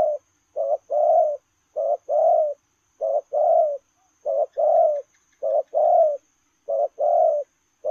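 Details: Spotted dove cooing in the 'lèo rồng' style while running: low mellow coos, each a short note then a longer hoarse one, paired phrases repeated about every 1.2 seconds, over a faint steady high hiss.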